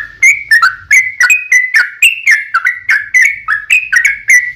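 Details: Sooty-headed bulbul lure song for provoking answers from other bulbuls, delivered as an unbroken string of quick warbling whistles with sharp onsets, around three to four notes a second.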